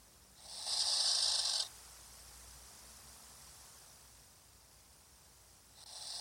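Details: Barn owl on a nest webcam gives a harsh, breathy hiss lasting just over a second; after a quiet pause, a second hiss begins at the very end.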